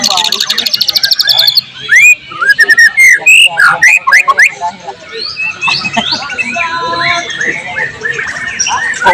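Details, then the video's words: Loud song of a white-rumped shama (murai batu), recorded 12 July 2023 with imitations of cililin, cucak jenggot, canary and lovebird: a buzzy rattling series, then strong varied whistled slurs and chips, softening into scattered chatter. "volume siulan murai batu gacor tembus materi isian"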